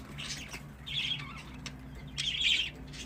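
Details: Quiet, scratchy warbling chirps from pet budgerigars in a household flock, two blurred bursts of grating chatter over a low background hum.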